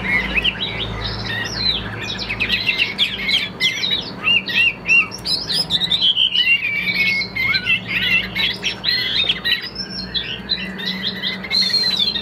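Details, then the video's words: Chinese hwamei, a calm-tempered caged bird with an even, steady voice, singing a rich, fast, varied stream of loud whistles and trills, with quick phrase changes and some slurred notes, over a low background hum. "Họa Mi Tam Hoàng, Hót Hét Rất Ổn"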